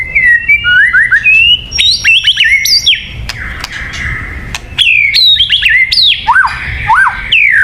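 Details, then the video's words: Song of a white-rumped shama, played to lure birds: loud, clear whistled notes that swoop up and down, delivered in quick varied phrases with brief gaps and scattered sharp clicks. "Suara Burung Murai Batu yang paling baik untuk pikat"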